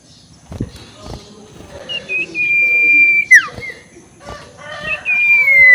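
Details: Ashy tailorbird ngekek lure to anger rivals: a long level whistle ending in a sharp downward sweep, then a second falling whistle, with scattered clicks and a low background hum.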